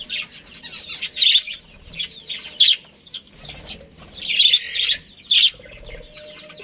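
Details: A budgerigar breeding pair in a colony, giving loud bright chirps in clustered bursts with short pauses, over softer background twittering of other budgies.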